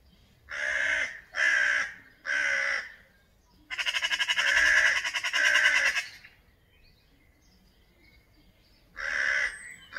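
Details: A crow, one of several birds (two crows, a magpie, a pigeon, a blackbird) mobbing a cat under a tree until it left, gives three hoarse caws, a long rattling, grating call, then another harsh caw after a pause.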